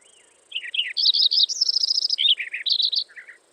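A Lincoln's Sparrow sings a bubbly, hurried song of varied chirps and a rapid high trill, shifting pitch several times over about two and a half seconds.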